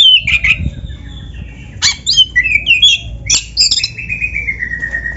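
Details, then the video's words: Black-breasted magpie-robin in full gacor song with canary-style phrases: clear whistled slurs and sharp chips, ending in a fast run of repeated, slightly falling whistled notes. "MASTERAN KACER GACOR FULL ISIAN MEWAH KENARI⁉️ || BURUNG KACER DADA HITAM COCOK buat PANCINGAN‼️"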